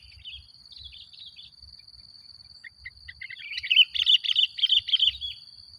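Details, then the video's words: Sooty-headed bulbul in chatty song for luring other bulbuls: soft scattered chirps and a few isolated notes, then a loud, fast run of bubbling warbled phrases near the end, with a thin steady whine throughout. "Suara Burung Kutilang Gacor Paling Ampuh Untuk Pancingan"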